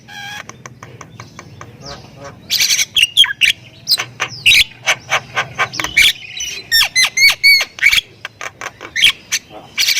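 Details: Thai-line Javan myna, called jalak kebo, starts softly, then launches into loud 'gacor full isian' song of harsh rasping bursts and downward-slurred whistles over a low background hum.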